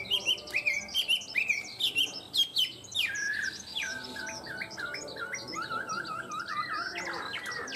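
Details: Tame Chinese hwamei singing well: a rich, varied run of high whistled phrases, with slurred notes repeated several times and then a long series of quick, looping, downslurred whistles.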